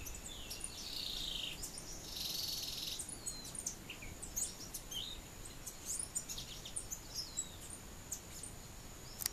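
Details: Thick-billed euphonia (Euphonia laniirostris) calling in Barinas, Venezuela: scattered high, sharp chips and brief buzzy notes over steady background hiss and a thin, constant insect whine.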